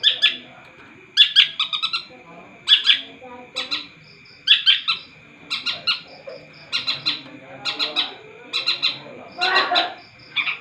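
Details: Long-tailed shrike singing energetically, delivering clusters of harsh, scratchy chattering notes in rapid bursts, phrases separated by short pauses and repeated throughout, with a steady tonal hum behind.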